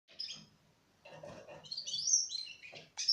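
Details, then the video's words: Four-month-old Russian canaries singing in broken bursts: a brief high chirp, a pause, then a twittering run of thin high notes and a sharp final phrase, with faint low rustling beneath. "Kanarki Rosyjskie Śpiew 4-miesięczne/ 4 Months Russian Canary Sing"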